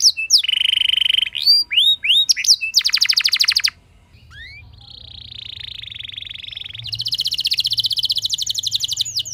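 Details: Canary lure song to start other canaries singing: a flat buzz, curved whistles and a rapid trill, then a quieter hissing warble and a final long rolling trill.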